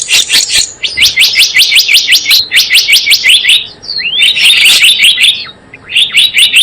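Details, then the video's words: Java sparrow call used as a trapping lure: nearly continuous fast chirping, steady ticking notes with a rising slurred whistle in the middle. "SUARA PIKAT BURUNG GELATIK BLOONG"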